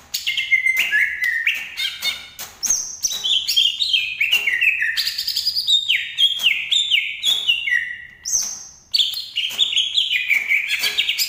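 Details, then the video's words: Green leafbird from Banyuwangi in energetic extended song, a dense stream of sharp whistles and downslurred notes leaping between mid and very high pitch with barely a pause. "Burung cucak ijo asli Banyuwangi"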